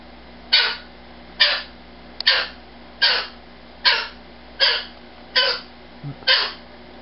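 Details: Indoor pet umbrella cockatoo, a rescued male that gets offended when the nightly good-night ritual is skipped, gives loud harsh raspy screams roughly every 0.8 seconds, eight in sequence, with faint room hum behind.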